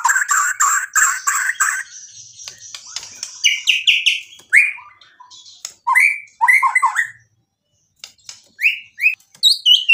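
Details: White-rumped shama song with mimicked material; rapid repeated chirps at first, then scattered short upslurred whistles and chattering notes with brief silences.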